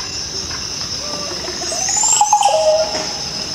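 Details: A Green Oropendola in the Amazon rainforest gives one of its very loud calls, a liquid gurgling phrase with a sharp rising whistle, over a constant high insect drone.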